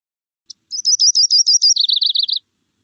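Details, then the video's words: Yellow-rumped Warbler song, a bird heard in Contra Costa County backyards: a loose, high trill of sweet chipping notes that drops slightly in pitch and speeds into a faster ending, lasting under two seconds. "So I'll start by playing the song of the yellow-rumped warbler."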